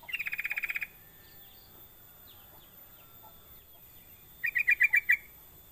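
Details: Sooty-headed bulbul call used as a lure so other bulbuls quickly start calling: a rapid, even string of about ten sharp repeated notes, a quiet gap with faint distant chirps, then a second, louder burst of quick notes.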